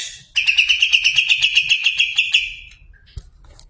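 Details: Greater green leafbird, competition class, giving one rapid series of sharp, evenly repeated high chirps lasting about two seconds, fading into a short trailing buzz and a faint tap.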